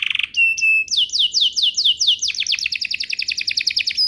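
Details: Lure song of a canary meant to get other canaries answering: a buzzy opening note, a level whistle, then a long rapid series of downward-sweeping notes in quick repetition.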